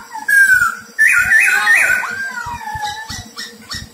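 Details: Black-throated laughingthrush, a decoy bird for trapping, sings loud, clear whistles: sliding notes and a rich, tumbling warble, with faint clicks and knocks underneath.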